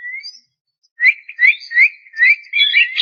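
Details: Javan myna song: an opening thin whistle, a pause, then a run of about five slurred, upward-inflected whistles at an even pace, ending in a harsh burst.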